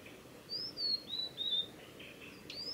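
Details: Male Blue-and-white flycatcher in song on the Mizusawa forest road, Tanzawa, Japan, 8 June 2020; a short phrase of high thin whistles falling in pitch, faint and brief, over soft background hiss.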